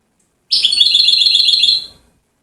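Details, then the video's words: European goldfinch from Settat, Morocco, singing a single one-and-a-half-second trill of fast, even, metallic notes that fades away into silence. "اعظم ما انتجت الطبيعة في التغريد جدر محسن من سطات ملك السلاسيات"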